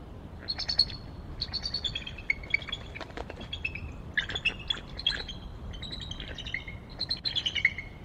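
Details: Bald eagle pair perched together on a tree at Decorah on 11 February 2022, just after 7 am, calling: bursts of high, piping, chittering notes that slide downward, repeated about every second, with a faint background rumble.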